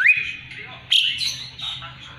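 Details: Asian pied starling in full song, kept as a song tutor for magpie-robins; a bright rising whistle opens, followed after a pause by a loud burst of harsh, chattering and whistled notes.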